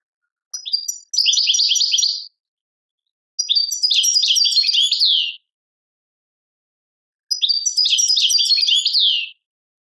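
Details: European goldfinch singing in the tadmait style from Algeria: three loud, rapid bursts of twittering, buzzy notes high in pitch, each about one to two seconds long, separated by silent pauses, ending with a descending slur.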